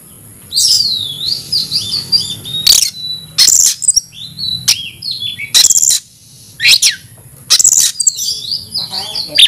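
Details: Oriental magpie-robin singing an aggressive fighting song. Loud, varied whistled phrases with rising and falling sweeps alternate with short, harsh, noisy bursts and brief pauses.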